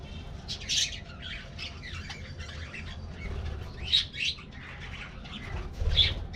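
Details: Colorful aviary budgerigars during a morning treat, several harsh chirping squawks with brief louder bursts, over a low background hum.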